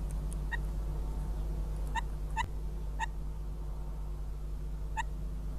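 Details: Northern goshawk at a nest near Riga, Latvia, on 14 May 2017 around 13:08, as the male visits the female and chick: about seven short, sharp, ringing notes at irregular intervals over a constant low hum.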